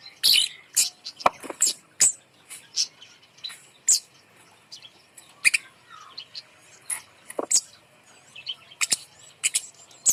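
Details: Bird kept up high as an incentive for non-singing birds, producing a fast, varied chatter of very high clicks, chirps and squeaky trills with brief gaps.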